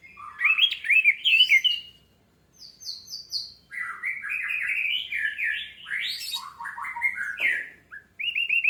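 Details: Orange-headed thrush singing as a lure to prompt other birds into song: varied warbles, a brief series of higher repeated notes, then a long continuous tumbling phrase with sharp accents.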